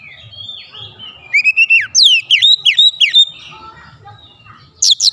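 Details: White-rumped shama song used as a lure to provoke other shamas to sing: a soft warbled opening, then loud bursts of rapid whistled notes sweeping down and up in quick runs, a quieter trill, and a final sharp burst.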